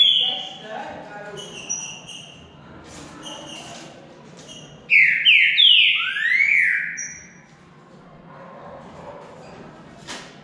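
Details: Green-winged saltator in a singing contest between two birds; after faint, scattered high notes comes a loud burst of rapid, overlapping downward-slurred whistles, then quieter thin notes and background hiss.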